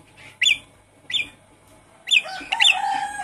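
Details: Javan pied starling sounds played to coax a caged bird that has stopped singing: a few sharp, scratchy notes spaced about a second apart, ending in a longer rough phrase with a low buzzy tone.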